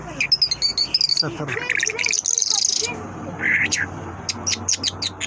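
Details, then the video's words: Mashhadi lark singing a fast stream of high chirps, buzzy rasps and clipped notes, then a series of short sharp chips repeated in quick succession. "Mashhadi lark singing مشہدی جل"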